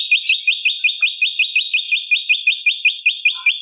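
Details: Bar-winged prinia singing to lure and stimulate other birds, delivering an even chain of sharp, slurred high notes at about three per second with faint scattered chirps above.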